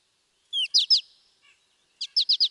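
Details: American goldfinch song recorded in Wisconsin: a falling slurred whistle, then bright buzzy twittering notes in two short bursts, the second a quick run of four chirps, with silence between.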